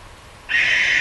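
A Barn Owl gives a harsh, hissing screech that starts abruptly halfway through and holds steady, rasping and breathy rather than hooted.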